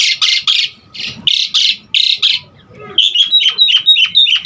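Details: Lure and tutor song of an Asian pied starling: a string of coarse rasping bursts with uneven gaps, then a quick run of short, bright whistled notes.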